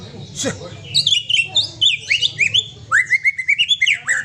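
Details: Aceh white-rumped shama with a companion bird, delivering fast bright whistled notes in quick succession, then a run of evenly spaced rising slurs about five per second, a low mechanical hum underneath.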